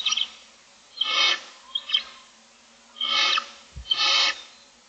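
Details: Barn Owl nestlings, a brood of six looking for food on day 25 in the morning, produce overlapping rasping hiss-screeches in quick succession, with a low thump near the end.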